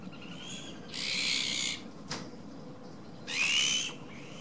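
A Great crested grebe gives two harsh, grating, hissy calls, each under a second and about two seconds apart, with a single sharp click between them.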